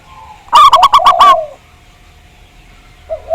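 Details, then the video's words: A single phrase from a Javanese local zebra dove, used as a lure so other doves sing: about five quick, bright, bouncing notes over a low sliding coo, then near silence and the start of another coo. "Pancingan Perkutut Agar Bunyi, Suara Besar Mantab"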